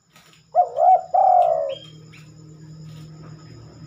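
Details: A spotted dove sings one cooing phrase at night, an unusual time for it to sing. A quick wavering coo is followed by a drawn-out, falling note. Afterwards a steady low hum fills the background.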